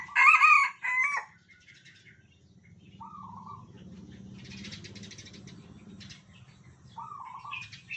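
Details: Captive Red Junglefowl of Sumatran origin, hand-raised from a day-old chick and tame in its cage, crowing in turn with cage-mates: one loud, harmonic, stuttering crow lasting about a second, then fainter short answering crows from other birds, low hum underneath.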